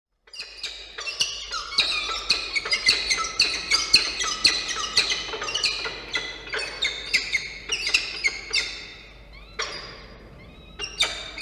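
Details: Falcon at a nest camera on 13 October 2022 at 1:54 p.m., as the male brings prey and the female feeds two young chicks. Dense, rapid, high, harmonic chipping calls, about two per second, briefly pausing near the end.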